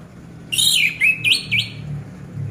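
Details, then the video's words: Orange-headed thrush (anis merah), a kept bird, used as a lure to get silent birds singing; a short burst of high, rich, varied whistles and slurred notes with rising and falling sweeps, a few phrases in about a second. "Pancingan Anis Merah Macet Biar Bunyi Gacor dan Teler Lagi"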